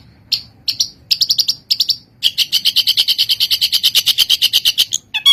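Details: Captive-training recording of a long-tailed shrike in full song: short scratchy bursts at first, then a long steady run of rapid, evenly spaced harsh notes delivered about six per second, closing with a brief slurred whistle.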